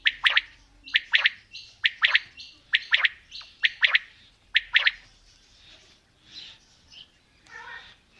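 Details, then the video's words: Quail, female and male, calling in a mix: quick bursts of three hard, clicking notes repeated roughly every second for about five seconds, then fainter scattered calls over a quiet background hiss. "Female Batair Calling | Male Batair Sounds | Mix Calling| Batair Ki Awaz | Batair Ki lambi Awazay|"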